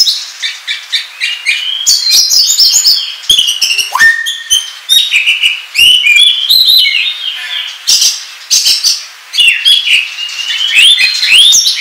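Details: Oriental magpie-robin song used to attract birds to a trap: a long, fast and varied medley of whistles, upward sweeps, trills and clicks, with one lower sliding whistle near the middle.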